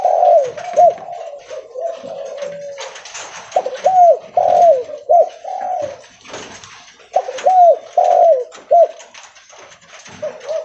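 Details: Spotted dove (Spilopelia chinensis) calling loudly while walking: soft, mellow cooing phrases of three or four hollow notes with a rising inflection, repeated every few seconds over a faint background hiss.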